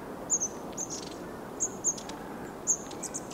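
Long-tailed Tit giving very high, thin, short notes, single or in quick pairs, about once a second, over a low background hiss.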